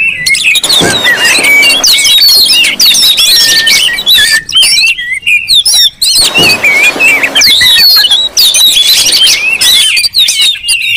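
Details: Oriental magpie-robins in a loud, crowded chorus meant to lure and provoke magpie-robins: continuous overlapping whistled slurs and chirps, dipping into short quieter breaks around five and six seconds before resuming.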